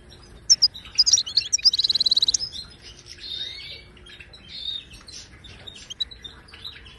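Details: Moroccan goldfinch song played to teach caged birds: sharp high notes open into a fast buzzy trill of evenly repeated pulses, followed by softer liquid twitters and a slurred whistle.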